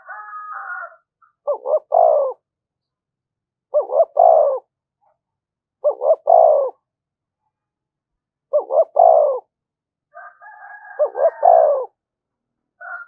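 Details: Spotted dove calling to provoke wild doves: phrases of two short coos followed by a longer rolling coo, repeated roughly every two to three seconds, with faint higher warbling tones at the start and near the end.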